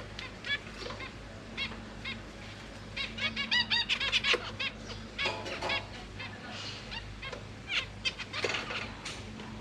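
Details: Zebra finch family kept in a cage, parents feeding three juveniles and three newborn babies; bursts of rapid clipped nasal calls, densest midway, mixed with sparse single chirps and a faint low background hum.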